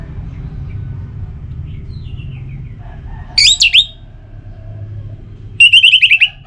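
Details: Orange-headed thrush, a kept bird, singing to prompt other birds to sing; faint soft notes, then two loud bursts of rapid trilled and slurred whistles, the second a fast repeated chatter.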